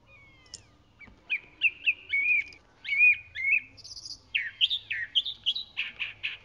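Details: Chalk-browed mockingbird (Mimus saturninus) singing a lively string of varied phrases: clusters of quick repeated chirpy notes, then sliding whistles, then harsher scratchy bursts near the end. The background is otherwise quiet.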